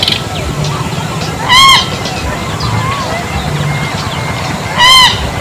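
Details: Bronze-winged jacana uttering two loud, nasal, honk-like calls roughly three seconds apart, each short and richly harmonic. Soft chirps of other birds and a low steady hum underneath.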